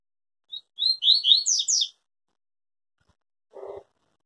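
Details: Pure tui-tui song of a yellow-bellied seedeater, delivered without a break: a lone thin opening note, then five quick slurred whistled phrases climbing higher. A dull thud follows after a silence.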